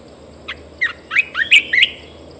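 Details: Caged red-whiskered bulbul singing: a quick phrase of five or six bright, liquid whistled notes sweeping between low and high, rising in loudness toward the end, over a steady high electronic hum.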